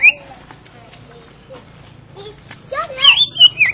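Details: Greater green leafbird (Chloropsis sonnerati) giving a quick burst of high, sweet whistled notes and chirps near the end, after a quiet start with a faint opening note.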